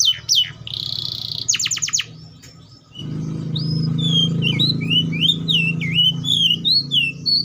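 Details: Atlantic canary singing: a varied opening of high buzzy and rapid trilled notes, a short quiet gap, then a series of clear whistled upslurred and downslurred notes over a low rumbling background.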